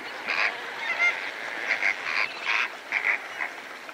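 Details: Several greater flamingos calling while feeding alongside lesser flamingos; a dense flock chorus of nasal, honking calls overlapping through the whole recording, with bursts roughly every half second.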